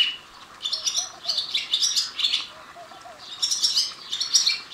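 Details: Barn swallow at a resort by Kolara gate in Tadoba, Chandrapur: bursts of high, squeaky twittering notes in clusters, pausing between bursts, with faint low chirps beneath.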